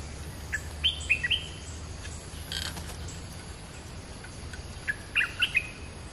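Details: Stripe-throated bulbul, a caged decoy bird being tried in a new lure cage, gives two short bursts of bright, bubbly whistled notes a few seconds apart over a steady background hiss.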